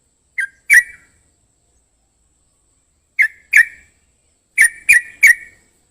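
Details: Sooty-headed bulbul singing: short, liquid, bubbly notes in brief phrases of two and then three, separated by pauses of about two seconds. Clean and quiet background.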